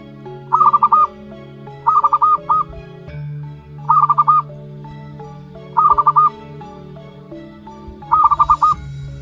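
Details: Five bursts of fast stuttering coos, roughly every two seconds, come from a one-month-old local wild-type zebra dove chick against continuous background music.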